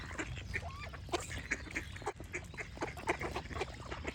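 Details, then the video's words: Ducks quack in short, raspy bursts several times a second, one louder call standing out near the middle, with light chirping from other birds behind. "Duck Quack Sound Effect with Birds Chirping for Relaxation"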